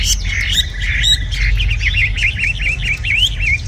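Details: A tame red-whiskered bulbul, noted as a strong singer, opens with harsh squawky notes, then pours out a fast string of wavering, looping whistles over a low hum.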